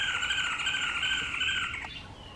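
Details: Green wood hoopoe cackling, a call compared to women laughing: a sustained, dense stream of harsh, nasal notes running together without clear breaks, fading slightly near the end over faint background hiss.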